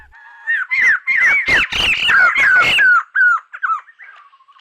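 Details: A laughingthrush at Rocky Pool, Huai Khayeng Nature Park, caught on a camera trap in dry late February 2025, gives its namesake laughing call: a cackling chorus of harsh squawks and slurred whistles, tumbling for about three seconds before trailing into softer calls.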